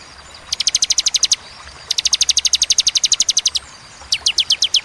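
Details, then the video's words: Clear, pause-separated 'tembakan' song of a bar-winged prinia: three rapid volleys of high, bright, evenly spaced notes, the middle volley long with about eighteen notes. "Tembakan ciblek ciwah cigun sadis pedas jernih berjeda"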